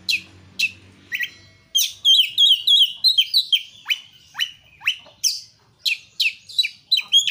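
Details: Energetic song of an Oriental magpie-robin, or kacer, meant as a singing prompt: fast looping whistled notes in a tight series, then loud abrupt downward-swept notes repeated about three times a second.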